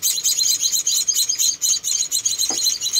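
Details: Shrill, closely packed chirping from four rescued baby munias at feeding time, almost continuous, with one soft low thump.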